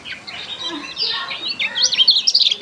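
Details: Lemon-bellied white-eye (Kecial Kuning) giving an unusual, strange-sounding song: a busy run of high chirps and short twittering notes that grows louder and sharper toward the end, with faint background murmur.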